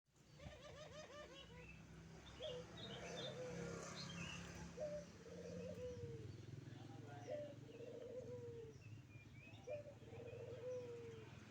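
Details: Wild zebra dove singing as a motorbike passes: about five bubbly, rolling coo phrases, each ending in a drawn-out steady tone. A constant low engine hum and faint chirps from other birds sit underneath.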